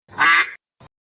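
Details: Duck giving one loud, raspy, drawn-out quack of about half a second, followed by a faint short second note.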